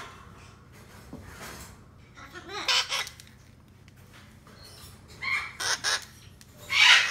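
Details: A hand-fed male red-shouldered macaw chick, about one month old, indoors in a shop, gives harsh, raspy squawks in three main outbursts, the last loudest.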